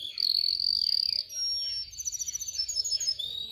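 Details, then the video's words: Canary song for training young singers: a long bright whistled tone, followed by buzzy rolls and fast tremulous trills. "Video for Canary training 25 m. Canary training 0.25 Hour canario canary song"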